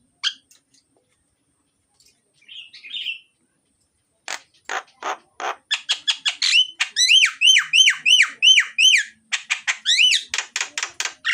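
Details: Myna in energetic, loud song, recorded as a lure to prompt lazy mynas to sing: scattered harsh clicks give way to rapid buzzy bursts and then a fast series of arched, whistled notes repeated several times per second.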